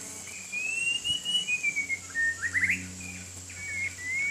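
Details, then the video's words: A white-rumped shama bathing in the rain gives long, drawn-out rising whistles, then a quick cluster of short sharp notes and a final rising whistle, with a constant high-pitched hiss underneath. "Murai Batu Main Hujan"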